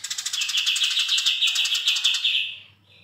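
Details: Long chirping run from an energetic Eurasian tree sparrow: a rapid stream of high, clipped chirps, roughly eight a second, carried steadily for over two seconds before stopping, leaving only a faint hum.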